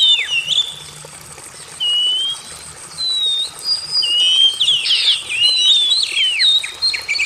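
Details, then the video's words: Oriental magpie-robin song made of separate long whistled slurs, some rising and some falling, broken by pauses and ending in a burst of harsher chattering notes. "Terapi Burung Kacer MACET BUNYI"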